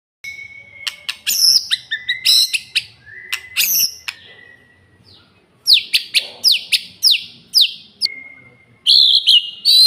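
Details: Male white-rumped shama singing: clear whistled phrases, including long steady whistles, bursts of high sharp notes and quick sweeping slurs, separated by short pauses and a near-silent gap mid-way.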